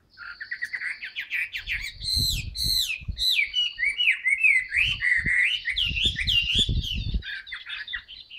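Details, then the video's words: Caged Chinese hwamei with new plumage, singing in its tail-spreading style: a steady torrent of varied whistled phrases, some rising, some dipping, over low thumping cage noises. "HM 275 siêu mẫu áo mới đẹp long lanh hót xòe bền"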